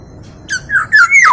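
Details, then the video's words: Local East Javan black-naped oriole, known for many melodious variations; quick slurred, squawky whistles sweep down then rise and fall in rapid succession, loud and close. "KEPODANG LOKAL JAWA GACOR VARIASI BUNYI BANYAK"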